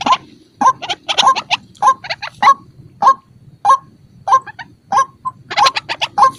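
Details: Calls of a white-breasted waterhen, recorded for use as a lure: loud, hoarse, nasal notes repeated roughly every half second in short rhythmic bursts, with brief pauses between groups.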